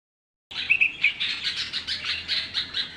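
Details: Baby bulbul chirping: a steady stream of raspy, high chirps, several per second, with brief clearer whistled notes near the start, all over a quiet background.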